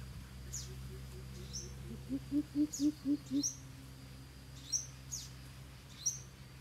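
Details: Coucal calling: a run of about six deep, hollow hoots in quick even succession, rising slightly then steady, with sharp high chirps from another bird scattered before and after and a low steady hum beneath.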